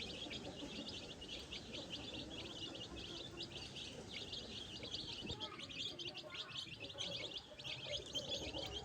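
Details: Baby chicks foraging in farm grass without their mother hen, searching for food and insects; a dense chorus of thin, high peeps repeats quickly and unevenly over soft background noise.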